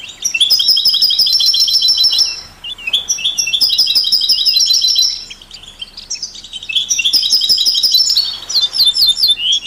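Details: European goldfinch in song with canaries and mule hybrids, played to stimulate other songbirds; three long bursts of fast, jingling twitter and trills, each a few seconds, separated by quieter pauses.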